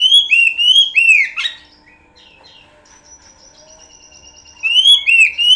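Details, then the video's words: Oriental magpie-robin (kacer) singing a pancingan lure song: loud, clear whistled phrases that sweep up and down, quick chirped notes, a quiet pause of about three seconds, then the whistling bursts back in. "Pancingan burung Kacer"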